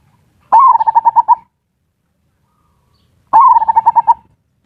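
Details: Zebra dove giving ngerot and kuwor style lure song, used to stimulate mating desire and get lazy birds singing. Two phrases, each a sharp rising note followed by a rapid series of about six pulsed coos, separated by silence.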